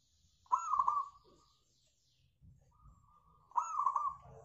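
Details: Local zebra dove singing, used as a lure for other birds: two rolling phrases of quick, purring coos about three seconds apart, each opening with a sharp note, with a softer cooing lead-in before the second.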